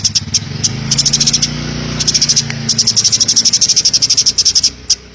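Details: Eurasian tree sparrow singing actively in the 'ngebren' style, a dense run of rapid high chirps in bursts that speed into a steady chatter, over a low droning hum.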